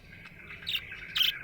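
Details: Happy budgie giving two short bright chirps over a soft chattering background.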